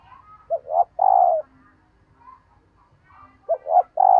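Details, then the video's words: Female dove call meant to stir males: two short hoots rising into a sustained low coo, repeated after three seconds, with quiet muffled coos between phrases. "Tiếng Chim Cu Mái kích Trống Hiệu Quả"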